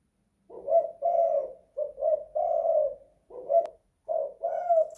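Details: Spotted dove inside a house giving its kuk-style call: a steady run of low, hollow coos, several short notes followed by a long sustained coo, with a brief click partway through.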